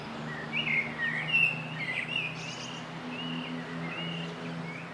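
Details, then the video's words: A common starling sings on a roof, a rambling run of wheezy whistles, clicks and slurred notes, over a steady low mechanical hum. "Singing Starling"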